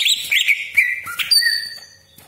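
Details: Greater green leafbird giving a brief burst of warbled whistles that settles into a long clear high note and fades, part of a lure song for other leafbirds.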